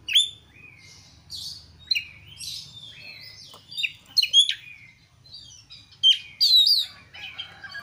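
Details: Kacer, the Oriental magpie-robin, giving a mellow warbling song for use as a singing lure: slurred whistles and rising-falling notes, softer buzzy fragments between, and a few loud clear phrases near the end over quiet hum.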